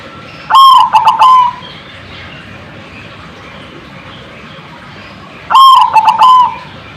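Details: Zebra dove calling to get other birds to answer: two loud, rapid stuttering phrases of clipped notes ending in a brief steady tone, about five seconds apart, over low background hiss.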